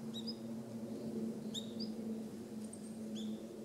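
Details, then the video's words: Male long-tailed rosefinch calling on 29 December 2013, ground call rather than song: soft high whistled notes in quick pairs and triplets, each short and slightly rising, above a constant low droning hum. "ベニマシコ "Uragus sibiricus" の鳴き声（雄・地鳴き）"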